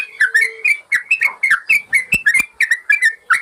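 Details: Yellow-vented bulbul singing as a master recording meant to get silent birds singing again: bright, slurred whistles in quick clusters, each note curving up or down, delivered without a break.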